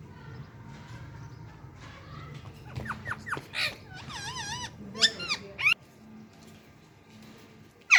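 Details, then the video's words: Parrots in the morning, giving sharp squeaks, steeply rising and falling whistled notes and a quick wavering warble in scattered bursts over eight seconds, above a steady low indoor hum. "Parrots enjoying in morning time || and talking parrot so cute"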